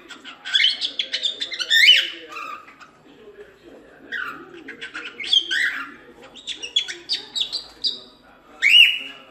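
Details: Cockatiel chatter: warbling, squeaky phrases with sliding whistles and short chirps in uneven bursts. A low background murmur runs throughout.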